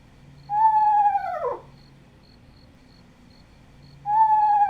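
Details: Captive Eastern Screech-Owl in eastern Nebraska gives a shrill, held whinny, a conversational call, that drops sharply at the end, then starts again about three seconds later over a faint low hum.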